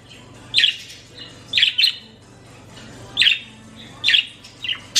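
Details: Female green budgerigar gives short, bright chirps in quick bursts, answering when her owner calls her name.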